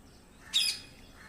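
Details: Parrot letting out one short, harsh, high-pitched squawk lasting about a quarter second against a quiet background.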